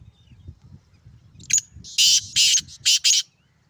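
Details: Black francolin male from Sindh, known locally as kala teetar, giving its loud rasping call: a short lead note, then four harsh scratchy bursts in rapid succession, with low background rumble.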